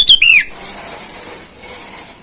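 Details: Sooty-headed bulbul in the wild calling to rivals, a lure sound for wild birds: one quick phrase of sharp chirps dropping into a slurred falling whistle, then only faint hiss.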